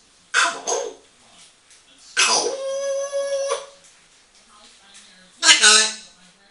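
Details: Eight-year-old female African grey parrot chatting away to herself in a bathroom: raspy speech-like bursts, then a long steady harmonic tone lasting over a second, and another harsh vocal burst, with room echo.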